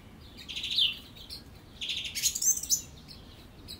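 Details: Song thrush singing: rough, scratchy high phrases, one early and a longer twittering burst later, with brief thin whistles mixed in.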